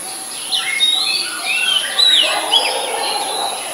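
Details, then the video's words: Song of an Oriental magpie-robin in Ubon Ratchathani, Thailand, 17 July 2022, captured on a Nikon P1000: a continuous, loud run of rich whistled notes, slurring up and down and varying from phrase to phrase, over a steady high-pitched electronic tone. "นกกางเขนบ้าน Oriental Magpie Robin (singing)"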